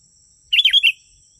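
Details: Single sooty-headed bulbul phrase for attracting wild birds, a fast liquid run of four warbled notes lasting half a second, against a thin steady high tone.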